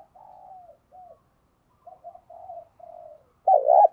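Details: Spotted dove used as a decoy to provoke other doves, giving soft, level, low coos in short phrases, then finishing with a loud, wavering coo.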